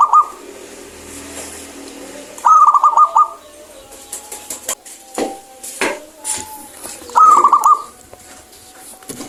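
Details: Local zebra dove with a clear voice, singing often. It gives three brisk stuttering coo phrases, the last two about five seconds apart. Clicks, knocks and faint whistles are heard between them.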